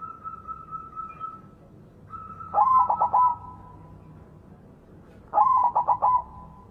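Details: Big-voiced white zebra dove in song, a lure for zebra doves gone quiet; a steady whistled tone opens, then two rippling coo phrases about three seconds apart, each of quick notes drawn out at the end.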